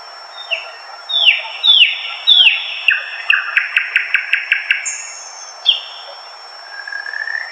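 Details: Thrush nightingale singing from dense undergrowth in eastern Poland, on May nights: loud, falling whistled notes, then a fast, dry rattling series of metallic clicks and a few high, piercing notes, with a steady faint hiss behind.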